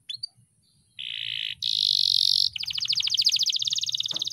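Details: Excited canary shortly before a song contest, delivering a few sharp chips followed by two sustained high buzzy notes and then a fast, evenly pulsed trill.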